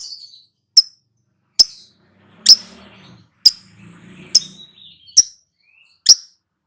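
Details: Pet lovebird making sharp, short high chips repeated roughly every second, with soft low murmuring sounds in the background.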